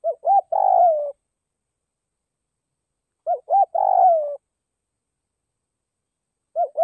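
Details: Spotted dove used as a decoy, calling to rouse wild doves: phrases of two quick arched notes followed by a long burred coo drooping at the end, repeated about every three seconds, with a third phrase starting at the close.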